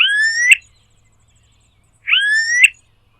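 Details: Smooth-billed Ani, one of a wild flock of about ten foraging on a vacant lot in Brazil, gives two whining, upslurred calls, each about half a second long and rising to a sharp end, two seconds apart.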